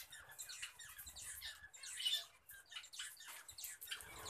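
Budgerigars chatter in a dense stream of high, scratchy squeaks and warbles, several birds overlapping, with faint low thumps in the room.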